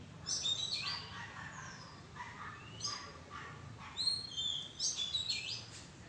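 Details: Oriental magpie-robin among madan tree foliage: bright whistled notes and quick slurs, mixed with lower harsh chattering at intervals, over a steady low background rumble.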